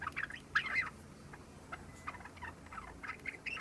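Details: Just-over-three-month-old Java sparrow working on its subsong days after coming home, opening with a bright chirpy burst, then a pause and a scattered series of clicks and brief twittering phrases.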